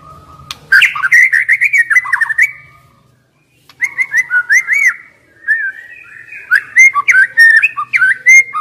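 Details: White-rumped shama lure song for young wild birds that refuse to sing under stress: three bouts of looping whistled phrases, fluid and warbling, each ending in rapid slurred notes.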